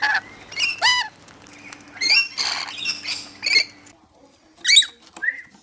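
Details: Rainbow lorikeet calling with harsh, rasping squawks and shrill chattering notes in an uneven sequence, followed by a couple of sharper high screeches after a short pause, faint low hum behind.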